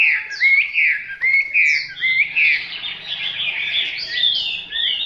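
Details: Hwamei song from a selected bird: loud varied whistled phrases, rising and falling slurs in quick succession, with brief pauses between bursts.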